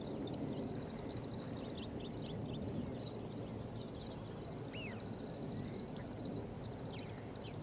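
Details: Grey-capped greenfinch calls from 16 January 2023, a continuous high twittering chorus of several birds, broken by occasional short downward-slurred notes near the five-second mark and at the end, over steady low background hum.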